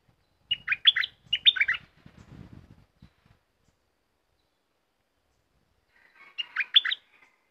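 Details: Red-whiskered bulbul in a cage singing quick phrases of bubbly, up-and-down whistled notes, two phrases back to back, then a pause and another matching phrase, with faint rustling between.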